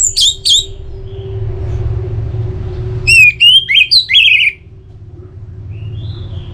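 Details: Orange-headed thrush song for stimulating singing: a short double whistle, then a series of bright, swooping whistled notes repeated in a quick run, over a steady low drone and hum.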